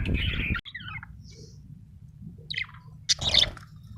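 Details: Happy pet budgerigar chirping indoors: a short burst of warbled notes, then scattered faint high chirps and a brief bright squeaky phrase near the end over a low steady hum.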